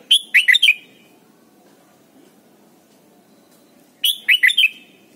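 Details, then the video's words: Song of a red-whiskered bulbul in Thailand, played as a training song for young birds: two short, chirpy whistled phrases of four or five quick notes, about four seconds apart, with a faint low hum between them. "นกปรอดหัวจุก Thailand Bird: เสียงดีมาก (สอนลูกไก่) เต็ม - ฝึกร้องเพลงร้องเพลงยอดหรือเสียงบิด"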